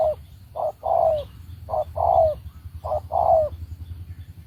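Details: Spotted dove used as a decoy for trapping gives a run of three paired coos, a short opening note and a longer downslurred coo each time, over low background noise.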